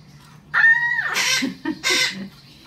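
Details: Female Hahn's macaw kept as a pet, calling loudly indoors as she often does in the mornings; a harsh, rising-then-falling squawk followed by two raspy broadband screeches and a few short low grunts in a small room.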